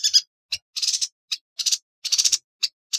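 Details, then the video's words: High, sharp yuhina notes for tutoring songbirds, given as quick isolated chips alternating with brief buzzy trills, irregularly spaced, in a clean recording without background noise. "Burung Yuhina - Tembakannya Nyelekittt Tajamm Terpercayaa...!!"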